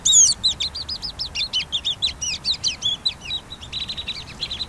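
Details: Pygmy nuthatch chattering steadily with high squeaky paired notes, repeated quickly in bouncy runs, a few rising slurs mixed in, continuing to the end.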